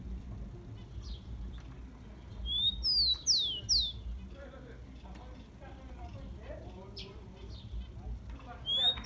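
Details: Song of the rufous-collared sparrow (tico-tico), used to fire up a kept bird: an upslurred whistle then three falling whistled notes early on, soft warbling chirps in between, and the next phrase starting at the end.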